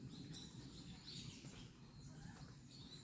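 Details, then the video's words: Birdsong on a Naejangsan forest path: brief high chirping notes and a thin whistled phrase, faint against constant low-pitched ambient noise. "숲속길의 새소리"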